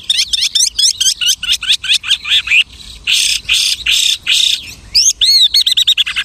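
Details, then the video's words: Mimicking lark delivering a rapid run of sharp rising chirps, then loud rasping buzzy notes, ending in quick looping whistles. "The lark imitates the singing of hundreds of birds."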